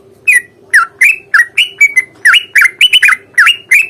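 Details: Sooty-headed bulbul in lively fighting song of the long rapid ropel style, used to provoke other birds into replying; bright chattering notes that rise and then drop, about twelve in four seconds, over a steady low hum.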